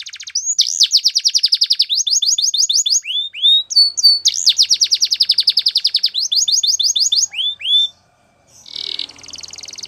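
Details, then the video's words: Belgian canary singing a training song meant for young canaries: fast, high rolling trills of rapidly repeated notes in long bursts, broken by slurred rising whistles, a brief pause near the end, then a short hissy buzzing phrase. "Canary Training Song | Belgian Canary"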